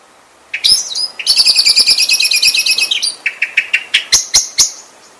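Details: Common blackbird with a short squeaky phrase, then a fast rattling chatter, then a string of separate sharp clicking notes that slow toward the end.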